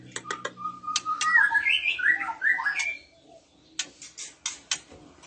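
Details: Breeding-condition female oriental magpie-robin, with males answering: a sustained warbling phrase of rich, rapidly modulated whistles lasting about two seconds, framed by sharp clicking ticks before and after.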